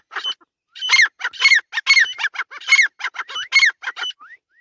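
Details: Grey francolin, female voice, giving a loud series of harsh, repeated phrases with sharp rising and falling notes, delivered in quick bursts about every half second across nearly five seconds, ending with a few softer rising whistles.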